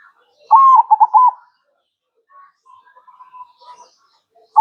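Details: Zebra dove (perkutut) in a manggung masteran recording: one loud phrase of a held coo and then rapid short coos. Afterwards come a faint steady thin whistle-like tone and scattered soft sounds, with another phrase starting at the end.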